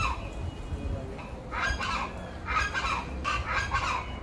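Chachalacas give harsh, raucous, cackling calls in bursts about a second apart, rising into a loud chorus over a low background rumble.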